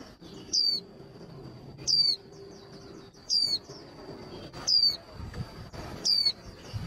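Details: Hen white-eye call for rousing males before song contests: five bright, steeply falling whistles about every one and a quarter seconds, with a steady thin high tone and faint low rumbling.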